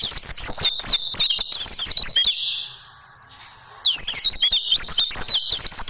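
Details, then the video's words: Caged-bird training recording of oriental white-eye song: rapid high twittering of zigzag chirps for two seconds, a short hush, then the same shrill chattering returns. "Masteran Burung Pleci Dan Tembakan Super Ampuh Pleci Juara"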